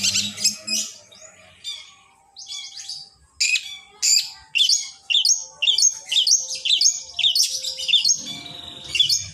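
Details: Training song of a long-tailed shrike, meant to set other shrikes singing: separate sharp, high chips and short varied phrases that quicken into a busy, jumbled run of notes.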